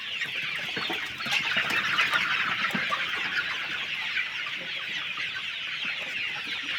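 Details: Many chickens calling together on a poultry farm: a steady, crowded wash of high peeping and clucking notes that swells slightly around two seconds in and stays busy throughout.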